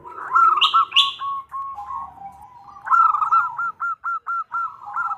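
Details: Female zebra dove calling the male: two harsh high chirps from another bird, then a stuttering coo trill, and a second phrase of bright notes slowing into evenly spaced separate pulses.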